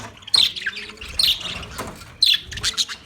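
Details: Budgies on 9 March 2024 give three sharp, loud squawking chirps among softer high twittering, with a faint low steady tone behind them.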